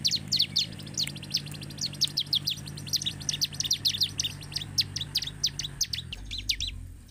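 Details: High, rapid chirping of a bar-winged prinia, played to excite other prinias into fuller song, running steadily for about six seconds before thinning out, with a low hum that drops away near the end.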